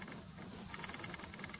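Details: Grey wagtail observed from a home in late April 2020, giving four sharp, high-pitched notes in a fast, even series, each note thin and piercing, over a quiet background.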